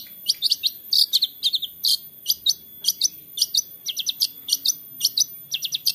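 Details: Long-tailed shrike recorded by phone in Central Java, giving a fast run of sharp, high chirps and squeaky notes several times a second over a faint low hum, used to stimulate quiet shrikes to sing.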